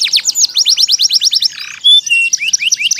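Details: Actively singing canary recorded to wake up silent or lazy canaries and to tutor youngsters of two to four months; fast series of descending chips, a brief buzzy burst, a pure whistle, then more chips.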